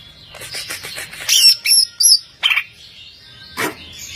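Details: Greater green leafbird, an overall contest champion, delivering fast stuttering chatter, then loud high whistled notes with harsh buzzy edges, a raspy burst and a final short harsh note.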